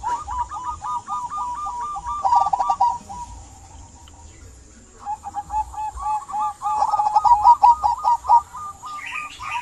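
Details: Zebra dove of local type singing as a prompt for quiet doves: two long series of rapid, evenly repeated rolling coos separated by a pause of about a second and a half.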